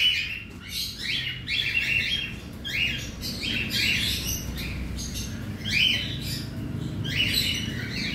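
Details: Aviary colony of around 100 cockatiels, recorded while the cages are being cleaned. Dense chorus of scratchy upward-sweeping chirps comes in repeated bursts, with a faint low rumble in the background.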